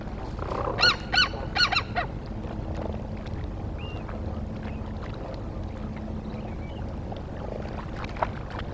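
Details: Osprey at a nest in Charlo, Montana, on 17 October 2023 around 16:02, picked up by a live nest camera: three harsh, harmonic-rich calls in quick succession, then faint short whistles over steady low rumbling background noise.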